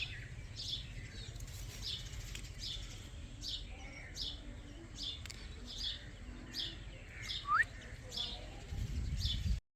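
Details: Baby Indian ringneck parakeet chirping: short, sharp high chirps repeated roughly every half second, with one rising whistled note near the end, over low background rumble.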